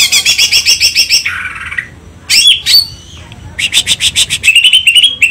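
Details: Greater green leafbird delivering a varied 'isian cililin' song: rapid high chattering notes, a lower buzzy rasp, a couple of sweeping whistled slurs, then a resumed fast series of shrill chips and trills.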